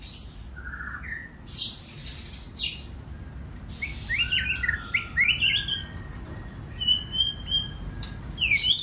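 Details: White-rumped shama singing many voices, used to stir other birds to sing; varied whistled notes and quick upward-sweeping slurs in clustered bursts, with some harsher high strokes and a low background hum.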